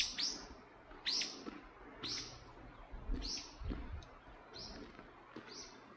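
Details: A great spotted woodpecker met at an entrance gave itself away by its calls. Sharp, high "kik" notes ring out roughly once a second, six times in all, over a quiet background.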